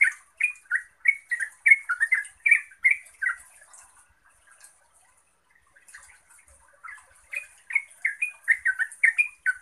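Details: Yellow-vented bulbul pouring out quick liquid chirping notes to trigger answering song from other bulbuls, with a quiet pause of about two seconds midway before the lively chattering phrases resume.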